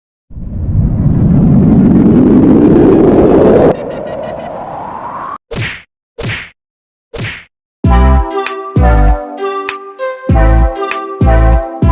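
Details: A rising whoosh of noise gives way to a few sharp thwacks, then loud tonal, harmonic hits; no animal voice is heard.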